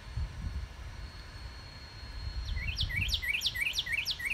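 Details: Northern cardinal singing in a yard on March 29, 2019: after a quiet start, a fast series of clear, slurred whistled notes, about three per second, over low rumbling traffic noise.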